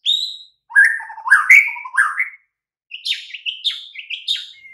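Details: White-rumped shama song used as a training recording to prompt silent, listless birds to answer: varied whistled and slurred phrases, some dropping, others rising, with a short pause, then bright high notes ending in a thin whistle.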